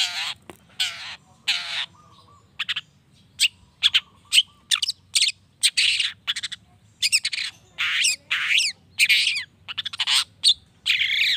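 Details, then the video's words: Provoking song of a long-tailed shrike (cendet) intended to make any shrike reply quickly: bursts of harsh buzzy notes and squeaky whistles, sparse at first and then tightly packed in the second half. "PANCINGAN CENDET❗NAIKAN EMOSI CENDET MANAPUN AGAR CEPAT NYAUT LANGSUNG IKUT BUNYI"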